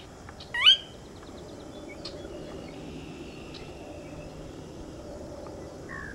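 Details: Sora giving a single sharp, rising whistle that sweeps upward, loud and brief, followed by faint scattered high chips over a quiet background hiss.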